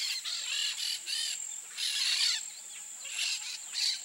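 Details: A pair of peach-fronted parakeets giving harsh, grating screeches in short bursts of about half a second, some with rising and falling arched tones, over a steady high insect drone.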